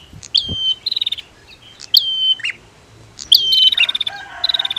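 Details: Female and male prinia duet, played to rouse birds that have stopped singing: three bursts, each a sharp high whistle sliding downward, then a fast dry clicking trill of about a dozen pulses.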